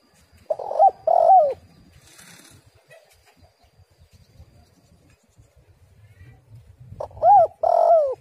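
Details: Lure call of a female spotted dove: two paired cooing phrases, a short arched note then a longer warbling coo, separated by about six seconds of near silence with a brief rustle.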